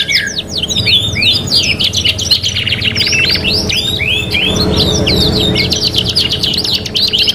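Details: Caged domestic canary singing a 'kenari gacor' training master, a vigorous 3-in-1 compilation: a fast, continuous stream of high whistled slurs, rolling trills and buzzy rattles, barely pausing, over a low background hum.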